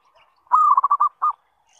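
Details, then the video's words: Zebra dove lure call meant to prompt other zebra doves to reply and sing. A single burst of fast, stuttering mid-pitched coos is followed by one separate closing note, in a quiet setting. "SUARA PANGGILAN PERKUTUT - PANCINGAN SEMUA JENIS PERKUTUT"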